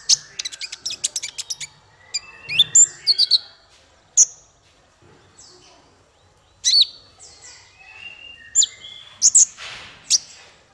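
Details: Male konin (Ruby-cheeked Sunbird) singing as a tutor for songbirds: a fast run of ticking high chirps opening a long, broken sequence of sharp squeaks, thin whistles and twittered phrases separated by short pauses.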